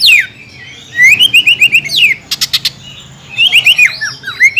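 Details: Short bursts from a greater green leafbird lure recording: downward whistled swoops, a quick series of rising chips, brief buzzy rattles, and gaps of quiet between phrases.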